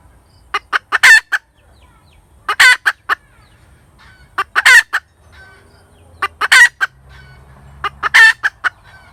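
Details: Hen cackling in five repeated bouts, roughly every two seconds. Each bout has a few short clucks rising into a drawn-out harsh squawk, then a final cluck. A soft low hum plays underneath.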